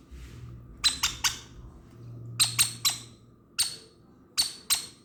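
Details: Hand-fed conure chick making begging sounds during feeding: clusters of two or three sharp, raspy squeaks, then single squawks, separated by brief pauses, with a faint low hum behind.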